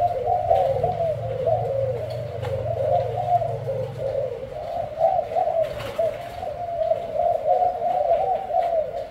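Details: Thai-type spotted dove with a white heart and black necklace gives a booming coo. The low cooing runs steadily and wavers throughout, with a deep hum beneath it for the first few seconds.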